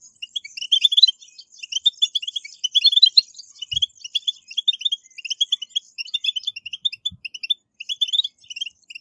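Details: Captive-goldfinch training song, 'betbetat' of the European goldfinch: long run of thin, rapid tinkling notes with some buzzy twitters, fairly even in loudness, interrupted by two faint low taps.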